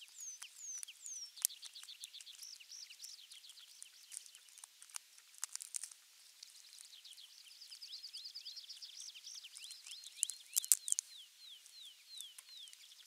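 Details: Osprey calling at a Finnish nest, camera 3, 23 June 2020, around the morning delivery of a half-kilo crucian carp; bursts of thin, rapidly repeated whistled notes alternate with pauses, accompanied by scattered ticking and rustling noises.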